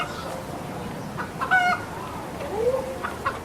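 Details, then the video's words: Squawking red junglefowl gives one loud, harsh, slightly falling squawk, then a lower rising note and a short faint squawk near the end, with constant low hiss behind. "Red jungle fowl squaking"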